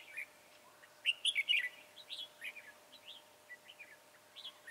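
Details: Red-whiskered bulbul with slender body, tall crest and dark bib, trapped on 22 January 2018; a loud, rapid run of warbled whistles, then softer scattered chirps.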